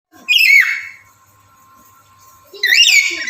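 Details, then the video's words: Black-capped lory, a male in breeding condition calling a female: two loud, shrill, harmonic whistled calls, the first sliding downward, the second rising then falling after a quiet gap, with a steady faint hum behind. "Burung Nuri Jantan Birahi Memanggil Betina"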